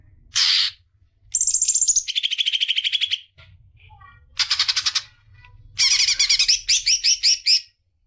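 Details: Varied greater green leafbird phrases used to stimulate young birds: a harsh burst, a high trill dropping to a lower buzzy trill, a dense chatter, then bright repeated whistled notes.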